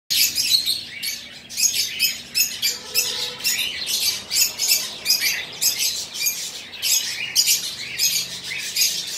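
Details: Conure, a bird of the parakeet family kept as a pet, giving rapid high, harsh chattering and squawky chirps in dense bursts throughout.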